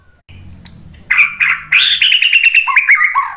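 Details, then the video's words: White-rumped shama song used as a lure to make other birds answer: loud rich whistled phrases from about one second, sliding notes and rapid repeated trills, after quieter chirps at the start. "KICAUAN MURAI BATU memancing BUNYI jadi NYAUT GACOR NGEPLONG BONGKAR ISIAN ¦ PANCINGAN MURAI"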